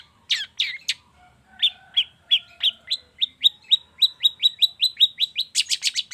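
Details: Long-tailed shrike lure for the morning to get shrikes singing: a few rough notes, then an accelerating train of short, clear downward-slurred whistles, about twenty in under four seconds, ending in a harsh rasping flurry.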